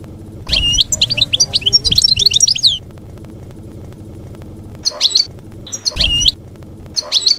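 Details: Field-style ('campero') song of a European goldfinch, meant for teaching juvenile goldfinches during moult: a two-second run of fast, jangling, twittering notes, then scattered short chirped fragments over a faint low hum.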